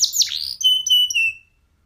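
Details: F1SF canary song used as a tutor recording for oriental magpie-robins and young canaries: quick sweeping notes give way to long pure high whistles held about half a second each, then silence.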